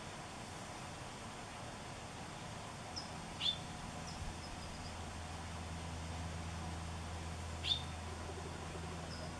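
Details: Hooded Oriole in a Washingtonia robusta palm in Bonsall, calling as it preens: two brief, clipped rising whistles about four seconds apart, with a couple of faint softer notes between, above a low humming background.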